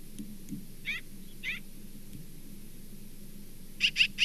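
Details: Osprey at the Charlo Osprey Nest on 27 September 2023: two piping whistled chirps, a pause, then a louder rapid triplet of sharp high whistles, with faint clicks and low hum beneath.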